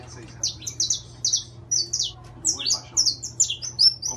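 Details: Saffron finch of the intense-yellow variety singing a lively series of high, piercing downslurred chirps in short clusters, speeding up toward the end, over faint background hum.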